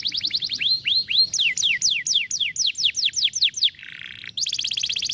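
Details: Canary song meant to stimulate a lazy canary to sing: rapid trills of steeply falling high whistles repeated about four per second, broken by a short buzzy rattle, over a low steady background hum.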